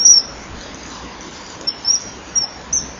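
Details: Calling male common kingfisher at a breeding-wall perch near the nest, 21 January 2012, mid-morning: a few sharp, thin, high-pitched whistles, spaced irregularly, over faint background hiss.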